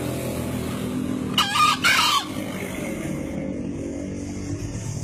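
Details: Green junglefowl (Gallus varius), a male about two years old from Lombok and entered in a crowing contest, gives one short, harsh two-part crow lasting under a second over a steady low engine-like rumble.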